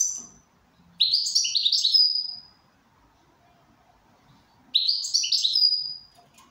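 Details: Goldfinch in good condition delivering two energetic twittering phrases, each about one and a half seconds of quick, jingling, buzzy notes, separated by roughly two seconds of near silence.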